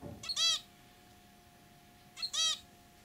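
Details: Pet zebra finches, a throaty-singing male and a white female that chirps, give two separate nasal, harmonic-rich calls about two seconds apart, each brief and bright, with a steady electrical hum between.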